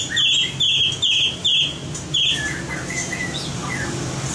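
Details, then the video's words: White-rumped shama training song of the competition type: five loud sharp high notes in quick even succession, then quieter slurred whistles. "Luyện giọng chòe lửa - luyện chòe lửa hót đấu"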